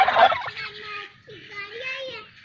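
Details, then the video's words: Domestic turkey kept by people, answering a shouted takbeer chant with a loud rattling gobble burst, then two drawn-out wavering tonal calls. "Tarki Murgi Palon Voice Suny, tarki birds, turkey bird sound"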